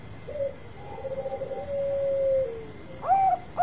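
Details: Bangkok-type zebra dove in long song, used to provoke other birds into calling: a brief coo, a fluttering run of soft notes merging into a long smooth tone that drops away, then two loud rounded hoots; a thin constant whine persists.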